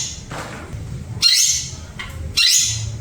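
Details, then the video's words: Long-tailed shrike calling: two harsh, raspy, noisy bursts about a second apart, over a steady low background hum. "Teot si Pentet"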